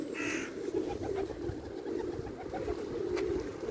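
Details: Pigeons in a group giving soft, low, throaty coos in quick overlapping bursts, several per second, over a quiet outdoor background.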